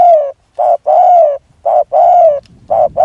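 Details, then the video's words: Spotted dove used as a decoy to attract a wild dove, cooing rapidly in a run of short and longer mellow notes, with a faint low rustle underneath. "ต่อนกเขาใหญ่ พลาดเฉลยเสียงดีครับคารมสุดยอดครับ"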